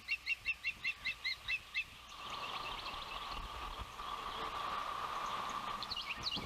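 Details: Osprey calling at a Savannah nest on a windy day, June 12, 2021, as the oldest chick makes its first fledge. About nine clear, high whistled chirps come in a quick, steady series, then steady wind noise.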